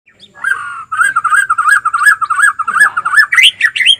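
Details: White-rumped shama (murai batu) singing: a rapid, continuous run of warbled whistled notes wavering in pitch, ending in higher, sharper rising phrases.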